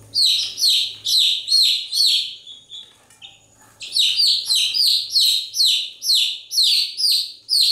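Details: Young chickens peeping nonstop: rapid, high, falling chirps at about two per second, briefly quieter mid-clip before the steady chorus resumes.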